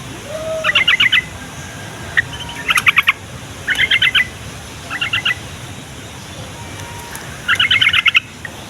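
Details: Yellow-vented bulbul song, used to prompt young, quiet or flock-kept bulbuls to answer and to lure wild ones close: five bursts of rapid bubbly, chattering notes, each about half a second, separated by pauses; faint background hiss.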